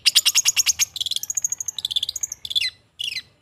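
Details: Long-tailed shrike training song: a rapid series of bright, high, clicking notes, then warbled higher phrases mimicking varied chirps, ending with a slurred downward note, with a low hum underneath.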